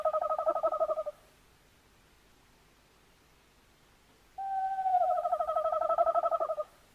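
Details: Tawny owl, recorded 11-01-2026: the end of a rapidly pulsing, vibrating hoot, a few seconds of silence, then a new hoot that begins as a smooth note and breaks into a quick tremolo lasting about two seconds.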